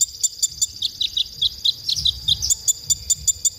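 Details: Konin song from a masteran recording used to train songbirds: sharp, high chirps repeated about every fifth of a second in a steady, slightly uneven rhythm, over a thin continuous high hiss.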